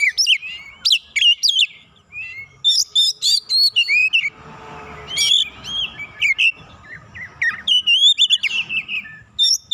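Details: Oriental magpie-robin, roused and agitated by a rival's song used as a lure, pours out its full learned repertoire: rapid bursts of sharp, high whistled and chattering phrases, slurred notes and trills, separated by brief pauses, over faint low background hum.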